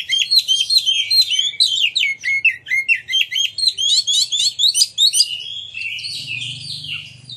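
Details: Oriental magpie-robin pouring out dense, fast song to provoke rival magpie-robins: quick chattering notes repeated about twice a second, high and scratchy, easing into softer warbling with a low hum at the end.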